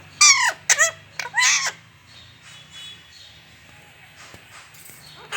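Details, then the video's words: A pet parrot complaining, with three loud harsh squawks in the first two seconds, each slightly falling in pitch, followed by a quiet room with faint low hum and a soft squeak at the end. "Parrot complains"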